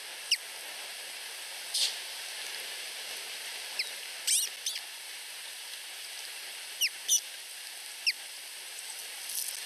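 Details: Begging of two osprey chicks less than a week old at a Finnish nest, vying for the mother's feeding: short, sharp high peeps scattered irregularly, some in quick pairs, against a constant breezy hiss.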